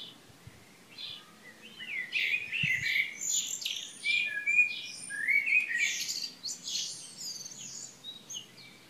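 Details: Several birds sing together in Šilo, Krk island, Croatia, on the morning of 3 June 2015, with fast high chirps, sliding whistles and twittering phrases tumbling over one another almost without pause.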